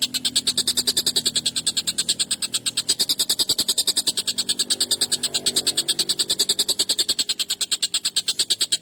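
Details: Sharp, harsh, prolonged collared kingfisher calling for songbird training: rapid high scratchy notes about three each second, continuing evenly through the recording with nothing else clearly heard.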